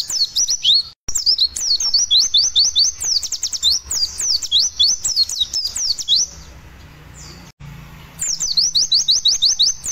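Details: Lure song of a white-eye in the fast 'roll tembak nyepeed' style, played for a pet bird being aired after sunning; rapid high swept whistle runs, a quieter pause around seven seconds, then the rattling series resumes.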